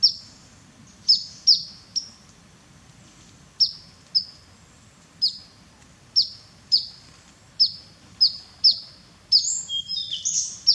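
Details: Grey-headed canary-flycatcher bathing in Cambodia: short, sharp high chips, singly or in quick pairs, about one per second, ending in a brief flurry of notes over a low background hum.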